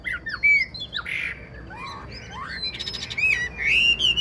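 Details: Wild-caught old Chinese hwamei kept in a cage, singing loud rising and falling whistled slurs, interspersed with buzzy rapid trills and sharp upward sweeps.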